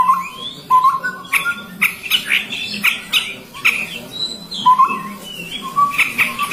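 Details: Chestnut-rumped babbler with short low whistles, some rising, scattered between loud sharp chirps and clicking bursts of higher sound.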